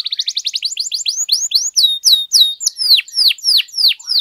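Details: Canary lure song to spur other canaries to sing: a quick trill of short notes slowing into loud, repeated sweeping downslurred whistles, about three per second.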